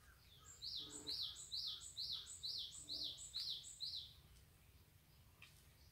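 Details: Dawn birdsong from a deep mountain forest in Pocheon, Korea: a run of eight quick identical phrases, each a bright down-slurred whistle with a sharp high note, then the bird stops. Faint low tones sound beneath.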